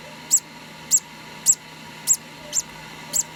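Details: High-pitched peeping from a two-day-old hand-fed conure parrot chick, six short squeaks evenly repeated about every 0.6 seconds over a low hum.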